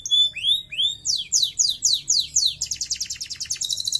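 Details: Canary song opening with clear rising whistled slides, then loud descending chirps in a rapid series, ending in a fast high rattling trill.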